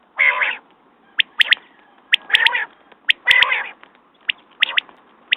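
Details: Quail with long harsh, meow-like rasping bursts alternating with short, sharp whistled notes singly and in pairs, fairly regular at about one per second.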